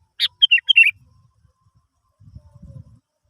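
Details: Sooty-headed bulbul song used as a lure to prompt other birds to sing: a quick bubbly phrase of four or five short, warbled, slightly descending notes, followed by soft low thumping handling noises.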